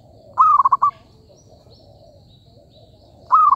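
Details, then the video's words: Zebra dove call used as a lure for trapping: two bright, rapidly trilled cooing phrases, each under a second, with faint distant birds and a low steady hum behind. "B.ẩy cu vằn"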